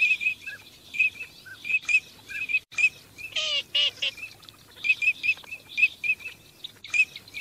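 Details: Teal on migration: a run of short, high, clear whistled notes repeated about twice a second, with a few lower nasal quacking calls near the middle and brief softer chirps between.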